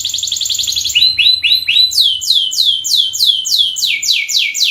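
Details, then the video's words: Long canary song for luring and training: a rapid high trill, a few rolling mid-pitched notes, then a steady series of sharply falling whistles repeated about four times a second. "masteran burung kenari gacor panjang untuk pancingan"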